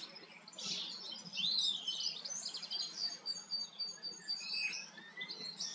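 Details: Common starling singing and cleaning its feathers in the Eifel, Germany; dense twittering medley of rapid chirps, clicks and thin whistles, about four notes per second, with a steady high tone running beneath.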